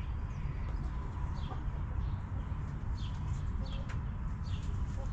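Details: Backyard hens relaxing in their coop give soft, short clucks and faint chirps, scattered through a few seconds, over a constant heavy low rumble.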